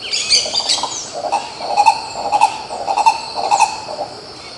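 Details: Green ibis (coró-coró) singing in Pirenópolis, Goiás, Brazil: a series of loud, nasal, mid-pitched notes in uneven bursts, nearly two per second, over steady high insect buzzing and faint chirps.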